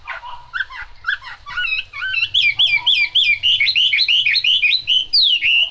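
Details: Chinese hwamei singing in the rain: it starts with softer mixed notes, then builds into a rapid, rich stream of looping whistles that climb higher toward the end.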